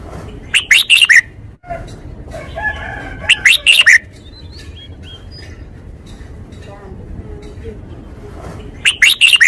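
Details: Caged red-whiskered bulbul singing a Thai forest-style song: short bright warbled phrases of quick rising and falling notes, given about every three to four seconds over a steady background hiss.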